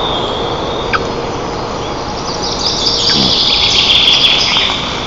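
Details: White-tailed eagle nest in Lower Kama National Park, Tatarstan, 25 June 2024, as the parents bring breakfast to their eaglets. A nest camera catches sparse thin calls, then rising high squeals with light tapping clicks, all over a steady hum.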